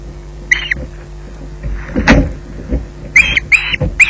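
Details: Osprey at RSPB Loch Garten pottering about while waiting for food: one squawk, then knocking and scraping sounds of movement, then three more short squawks, over a steady low hum.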